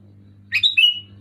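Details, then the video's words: Sooty-headed bulbul singing loud and clear: a single short bubbly phrase of two quick notes sliding into a bright, slightly falling whistle, over a steady low electrical hum. "Suara burung kutilang gacor keras jelas"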